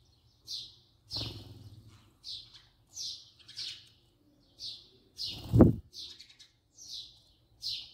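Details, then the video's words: House sparrow filmed up close giving evenly spaced single bright chirps, roughly one or two per second, interrupted by two loud low knocks or handling thumps. "voice song call house sparrow صوت عصفور الدوري"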